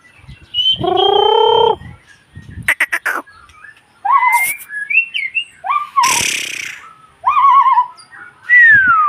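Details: White-rumped shama song of rich whistled phrases, some held and harmonic-rich, others stepped and warbling, mixed with sharp rattling bursts and a final bright downslurred whistle; loud and close with pauses between phrases.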